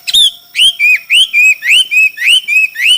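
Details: Chinese hwamei singing in a song contest: loud, clear whistled notes repeated about every half second, each sliding down then levelling, in a steady run of seven phrases.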